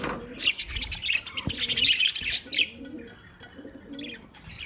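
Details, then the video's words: Budgies give busy high twittering chirps for about three seconds. After that the chatter thins, and soft low dove-like cooing repeats in the background. "Natural Budgie Parrot video , Birds chirping sounds"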